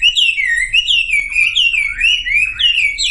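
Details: Sumatran leafbird lure song for prompting quiet birds to sing, made of looping whistled phrases that sweep up and down in smooth waves, steady and loud throughout, with a faint low hum.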